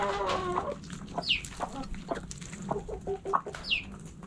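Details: Backyard hens in a coop, clucking softly with short harmonic notes and a couple of brief high chirps, amid faint rustling and scratching.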